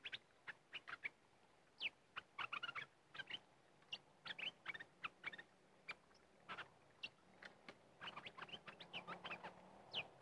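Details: Fierce red-whiskered bulbul met while luring birds with a decoy. Lively stream of short whistled chirps and slurred notes, grouped in rapid runs with gaps, busier toward the end, with faint low hum beneath.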